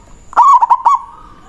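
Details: Single loud manggung phrase from a local zebra dove, a rival-calling lure song: a strong opening coo followed by three quick clipped notes, then a faint sustained tone.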